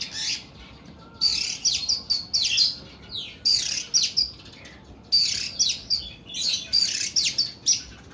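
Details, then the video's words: Oriental magpie-robin of the Kuku Bima type in full long, rough 'nembak' song: loud, continuous strings of harsh raspy notes and piercing whistles in repeated bouts, with only short gaps between them. "KACER KUKU BIMA NEMBAK PANJANG & KASAR"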